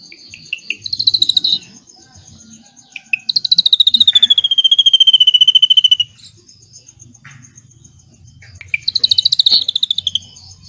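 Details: A drongo, recorded as training material for magpie robins, gives three high, rapid rattling trills, the middle one about three seconds long and sliding slightly downward, with short chips between, over a faint low hum.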